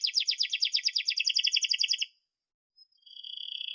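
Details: Canary singing a model phrase for young canaries learning to sing: a fast pulsed roll repeated many times per second for two seconds, a short silence, then a thin sustained trill.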